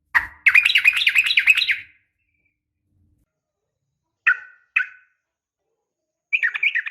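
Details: Yellow-vented bulbul female calling to a male: an opening burst of rapid, bubbly chattering notes, then two short separate chirps after a pause and a final brief chatter at the end.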